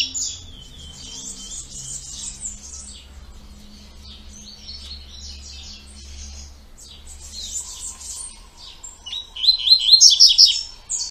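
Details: Double-collared seedeater performing the two-note "tui tui" song style: scattered high chirps and slurred whistles at moderate volume, quieter stretches in the middle, then a loud bright rapid burst near the end; faint low hum underneath.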